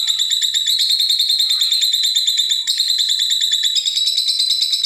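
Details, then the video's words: Lovebirds answering each other, used as a lure to draw out other birds, giving long 'ngekek' chattering: a continuous, rapid, buzzy, high-pitched rattle with no pauses, changing tone abruptly about three times over five seconds. "Buat Pancingan lovebirt cocok Saling nyaut dan ngekek panjang"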